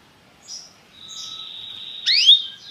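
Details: Belgian canary, popular song style used to excite other canaries: a long thin steady whistle, then a loud upswept note and a short downward tail.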